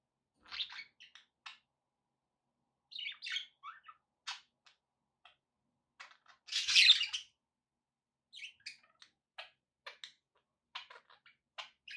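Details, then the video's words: Pet budgerigars chirping indoors: short scattered chirps and squawky notes in loose bursts, with one louder harsh squawk midway and quieter chatter before and after. "budgie sounds with background noise for relaxation"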